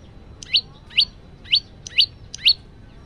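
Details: Male yellow-bellied prinia singing lively, recorded on a phone: sharp rising high chips repeated roughly every half second over faint background hum.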